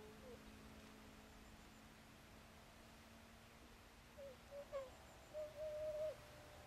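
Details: Tundra swans from a flock of about twenty at a swan wintering site in Saitama Prefecture, Japan, give soft, mellow hooting calls: one early note, then a few short ones and a longer drawn-out note near the end, over a quiet hum.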